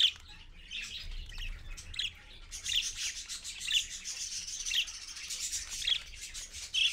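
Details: Parakeets, a parent and babies, at 6:20 AM on 4.1.15 on a live camera: steady raspy, scratchy chatter with short bright chirps repeated roughly once a second, under a rubbing noise.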